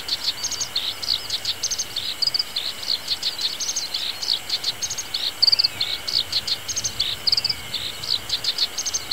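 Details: Black-browed reed warbler singing in a reedbed in early summer: a fast, continuous run of high, scratchy chirps and clicks, with engine hum from grass cutting nearby.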